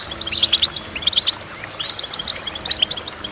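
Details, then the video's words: Goldfinch singing in lively twittering phrases. Gliding, slurred notes are mixed with quick clicks, falling and rising slightly. The phrases are broken by short gaps, with little else audible. "Goldfinch Chirping"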